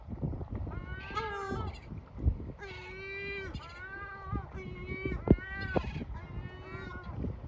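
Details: Male yellow-legged gull scolding its chicks to make them go into their hiding place to rest: a run of loud, harsh, wailing screeches, four long drawn cries with rich harmonics in quick succession, over low background rumble and a few clicks.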